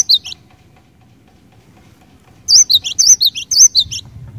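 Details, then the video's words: Single high chirp, a two-second silence, then a cinereous tit bursts into quick, piercing two-part whistled phrases, song aimed at making other cinereous tits sing. "Kicauan Glatik Batu Gacor Ini Cepat Bikin Glatik Batu Lain Bunyi Gacor"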